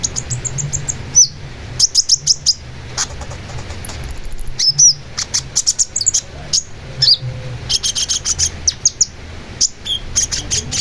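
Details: Long-tailed shrike pouring out repeated clusters of piercing high chips, with occasional short whistles and a brief buzzy trill, across a long varied phrase.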